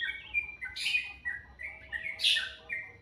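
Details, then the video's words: Morning birdsong described as very melodious: short clear whistled notes around a steady pitch, broken twice by louder, harsher chirp bursts. "Suara burung dipagi hari sangat merdu"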